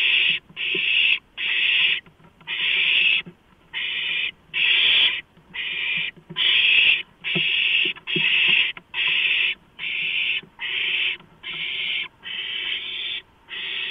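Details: Owlets with beaks and talons on a freshly delivered large rodent, 23 March 2015 near 12:52: long run of harsh hissing screeches, closely spaced, some overlapping, with soft scuffling clicks underneath.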